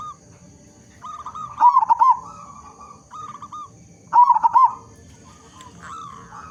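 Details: Loud local zebra dove singing as a lure for other doves: two clusters of rapid, quavering, rolling coos about two and a half seconds apart, between softer drawn-out mellow notes, with a faint low rumble beneath.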